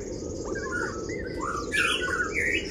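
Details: Oriental white-eye singing in kriwik style to provoke rivals: soft slurred chirps at first, building into a denser cluster of bright, rapid warbled notes toward the end, all over a low steady hum.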